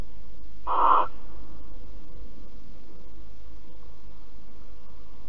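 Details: Barn owl in Alphen, recorded 5 September 2019 at 09:46 while cuddling: one short, loud, breathy hissing screech lasting under half a second, followed by steady low background hum.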